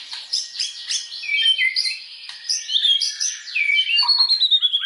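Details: Song of a white-rumped shama played as a lure to provoke others into full song, mostly high thin whistles and sliding notes packed closely together, with sharp clicks throughout.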